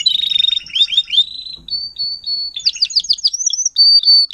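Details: Timbrado canary tutor singer, caged, teaching juveniles: a rapid rattle leading to wavering whistles, sustained high pure tones, then a run of quick falling notes and further whistled tones.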